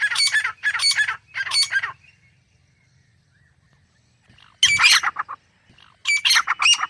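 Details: Grey francolin: three harsh, rasping call bursts, a quiet stretch of over two seconds, then two more loud grating phrases.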